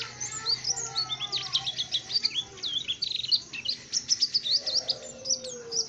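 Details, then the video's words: Tame white-eye in lively, sustained song: a fast stream of high, sharp twittering and tinkling notes in clustered phrases with brief pauses, over faint low background murmur. "burung Pleci jinak dan gacor mantap"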